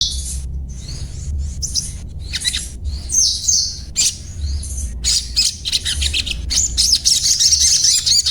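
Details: Crimson sunbird (sogon) giving its everyday chattering 'cuet cuet cuet' song: rapid, very high, squeaky and buzzy chirps in irregular bursts, about three per second, with short silent gaps and a low steady hum underneath.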